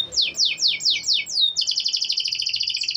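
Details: Canary song meant to encourage non-singing canaries: six loud descending swept notes about every quarter second, followed by a fast rattling high trill.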